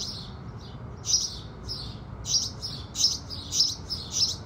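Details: At sunrise, house sparrows give sharp, high chirps that grow busier after a quieter start, coming in quick pairs and bunches against faint low background noise.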